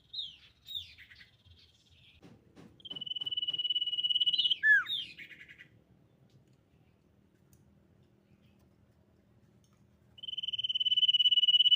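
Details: Common iora lure song, said to be a female, meant to draw other ioras into song. A long, steady, buzzy high whistle drops into a brief slurred note, then a quiet pause, then another drawn-out whistle begins.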